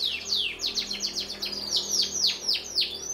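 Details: Black-red and yellow canaries sing a lively series of steeply falling, sweeping whistles repeated about four times a second, loud and clear over a faint low hum.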